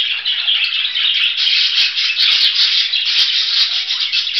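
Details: Budgerigar producing a continuous scratchy warble, growing fuller after 1.5 seconds, with scattered clicks and taps.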